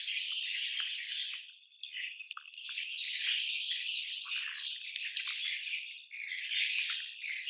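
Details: Colony of swiftlets producing bursts of buzzy, high twittering, with short gaps between waves of overlapping calls and louder rasping phrases.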